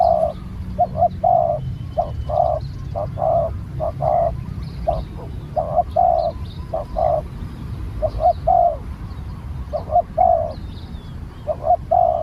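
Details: Spotted dove, newly trained bird out on a training session, giving a long series of low mellow coos: quick double notes each followed by a drawn-out purring note, phrases repeated about every second. Low rumbling background.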